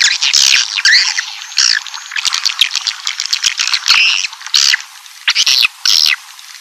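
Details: Swiftlet calling to lure a colony into a building: busy, overlapping high chatter with buzzy trills and scattered louder chirps, nearly continuous throughout.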